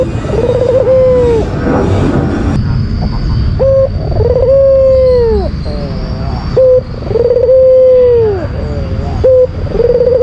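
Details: Albino Barbary dove, white-feathered, giving its challenge call to stir a rival: long downward-curving coos alternating with short flat notes and wavering phrases, about four cycles, with a high steady whine starting partway through.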